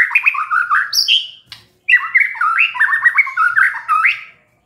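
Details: White-rumped shama singing after a lure, pouring out two long varied phrases of rich whistles, quick rising notes and harsher tones, separated by a short pause.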